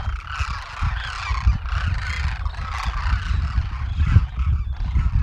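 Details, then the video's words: Wintering Demoiselle Cranes, a flock of roughly 12,000 near villages and fields in north India's Rajasthan; overlapping throaty calls rise and fall in waves against a loud low-frequency background rumble. "Thousands of Demoiselle Cranes migrate to Rajasthan"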